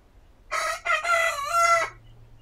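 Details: Rooster crowing in a dueling exchange: one loud, harsh crow lasting about one and a half seconds, broken into a short opening burst and a longer drawn-out, slightly falling tail, with quiet background before and after.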